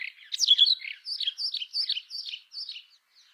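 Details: Brown rock chat song: a bright, varied phrase that opens with a loud slurred flourish, then runs into a chain of evenly spaced, high, down-slurred whistles that fade toward the end.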